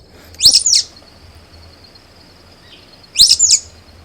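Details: Sulphur-bellied Flycatcher up South Fork of Cave Creek, southeast Arizona, on a quiet late afternoon in July at 90 degrees, giving two shrill, squeaky-toy double notes about three seconds apart over a steady high insect hum.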